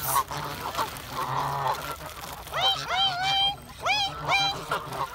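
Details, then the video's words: Geese calling: after a noisy, rumbling opening, a run of loud, arching honks and yelps begins midway and repeats in quick bursts, over steady low background noise. "Geese calling"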